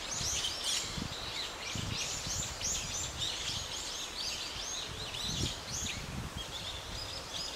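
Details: White-cheeked starlings in a park forest in Chuo-ku, Sagamihara, Japan, one catching a small lizard and flinging it against the ground: busy, overlapping high chirps and squeaky notes with low thumps and rustling underneath.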